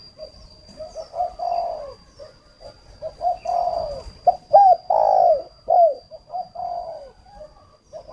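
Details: Decoy spotted dove for luring wild doves, Ba Vì, Hanoi, northern Vietnam. Soft hooted notes build to long, rolling coo phrases that repeat across the clip. A thin constant high whine runs underneath.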